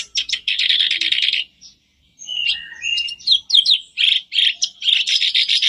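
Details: Lure recording of a black-browed reed warbler for stirring a caged bird to sing: dense rasping chatter, a brief pause, then varied squeaky whistles and harsh repeated churrs.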